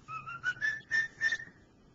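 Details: Male pet cockatiel whistling the opening of "Dixie": about six pure whistled notes, each a little higher than the last, then holding level, delivered in under two seconds.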